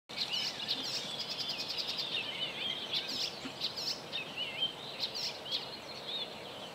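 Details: Icterine warbler singing on 27 May 2017 at Joachimów Mogiły reservoir, Poland: a continuous, varied high-pitched medley of chattering notes, squeaky whistles and rapid buzzy trills, with a low background hiss throughout.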